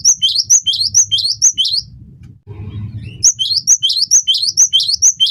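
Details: Energetic cinereous tit (gelatik batu) song used as tutor and lure audio: evenly spaced whistled double notes, high then lower, roughly two each second, split by a brief pause filled with low rumble.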